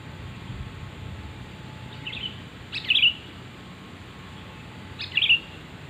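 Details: Sooty-headed bulbul luring call: a soft chirp, then two louder warbled, bubbling phrases about two seconds apart, each sliding quickly down, with a quiet low rumble beneath.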